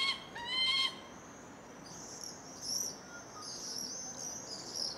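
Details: Common swifts at nearly 9 pm on 15 July 2017, shortly after swarming in huge numbers, give thin, shrill, buzzy screams, several drawn-out shrieks, just after a different bird's harmonic, rising calls.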